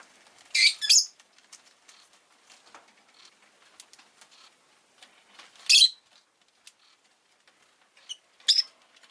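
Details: Rosy-faced lovebird giving three short, sharp, high chirps spaced several seconds apart, each a quick double burst, over a faint, soft background hiss.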